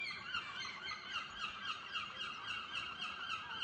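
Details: Several gulls calling together at a caravan park at dawn, harsh nasal cries overlapping in a rapid, steady chorus of about three or four calls per second.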